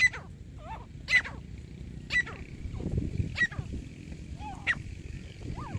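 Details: Grey francolin (teetar) heard during a partridge hunt: sharp, short, ringing calls repeated roughly once a second, with softer curved notes in between and a steady low rumbling noise underneath.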